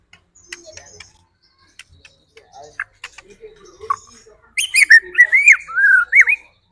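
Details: White-rumped shama song used as a lure to provoke other birds into quick, agitated singing: faint scattered clicks and soft notes, then a loud final two seconds of rich, warbling, up-and-down whistled phrases.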